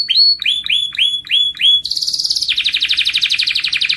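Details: Canary song used to spur other birds to sing: five loud swooping whistled notes, then a bright very fast trill dropping into a lower rolling trill repeated to the end.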